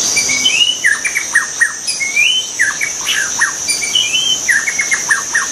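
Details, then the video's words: Wild white-rumped shama with flowing whistled phrases, rising slurs followed by quick descending strings of notes, repeated twice, under a constant shrill insect buzz. "kicau burung murai batu di alam liar"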